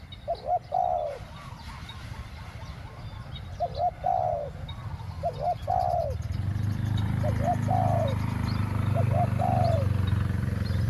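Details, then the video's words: Decoy spotted dove calling to lure wild doves, 'khu-ang' two-word style: five soft two-part coos, a brief note then a falling longer one. A low rumbling noise swells in the second half. "ต่อนกเจาใหญ่ เจ้าวุ่นวายเก็บเชลย คูอ่าง 2 คำ"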